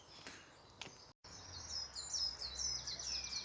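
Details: Coal tit singing live in a park, its two-note song sweeter and higher than a great tit's: rapid high repeated double notes, about two per second, after a short break; faint other chirps earlier.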